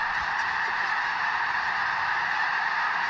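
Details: In early spring, a huge flock of migrating snow geese stopping to refuel on a nearly covered lake in southern Alberta, en route to Arctic nesting grounds, makes a steady roaring wall of overlapping nasal honks and yelps, no single call standing out.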